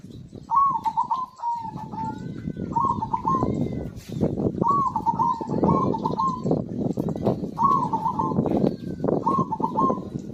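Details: Actively singing zebra dove meant to trigger song in silent birds: paired trilled coo phrases repeated about every three seconds, each rolling and bubbling, over a continuous low background rumble.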